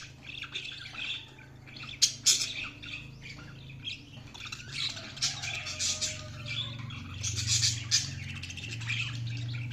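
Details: Budgerigars chirping while feeding: dense, overlapping harsh chatter and squawky notes, bursts roughly every second, with a steady low hum underneath throughout.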